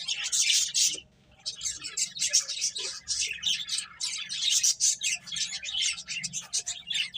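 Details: Finches eating and playing: a chorus of short, high, squeaky chirps in rapid bursts, with a brief lull near one second before the chattering resumes and continues steadily.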